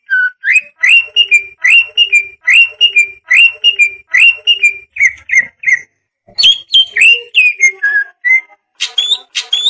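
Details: Cucak ijo ngoceh song meant to wake beginner leafbirds: a rapid series of short rising whistled notes, roughly two or three per second, followed after a short pause by varied chirps and sweeping whistles.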